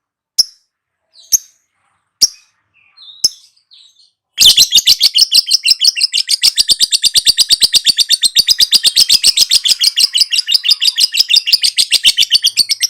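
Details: Lovebird in long chattering 'ngekek' song: four separate sharp high chirps spaced about a second apart, then an unbroken rapid run of harsh, buzzy chatter lasting over eight seconds.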